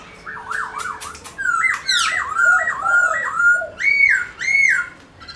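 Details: Black-throated laughingthrush, a songbird recording used to stimulate caged birds to sing: loud, rich whistled phrases that swoop down and up in wavy, looping notes, with short pauses between phrases.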